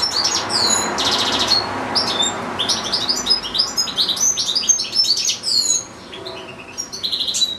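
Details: European goldfinch in a cage, one of two goldfinches kept with two goldfinch-canary hybrids, delivering an extended recital: a buzzy trill, then quick jumbled chirps and liquid twitters, easing off briefly near the end.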